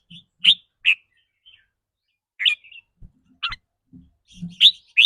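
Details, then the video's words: Red-whiskered bulbul in rapid trilling song, the 'rik rua' style tied to its mood that day: spaced bright chirps and whistled notes in loose groups, a few dull knocks in the middle. "ริ๊กรัวๆ คือเรื่องปกติ"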